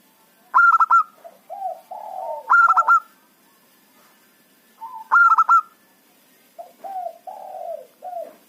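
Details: Local zebra dove, a lure bird for trapping wild rivals, singing loudly: bursts of rapid stuttered high notes, then lower, drawn-out wavering coos that slide downward, repeated about every two to two and a half seconds.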